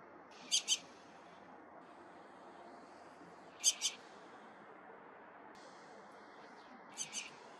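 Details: A dusky thrush, in a recording that may also include Naumann's thrush, gives sharp, high double notes, a quick pair every three seconds, over a steady background hiss.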